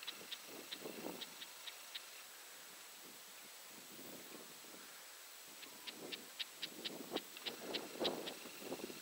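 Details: Red-backed shrike, agitated and waving its tail, giving sharp, clicking 'tchek' notes in two quick runs, about three per second, over a low rumble of wind or distant traffic.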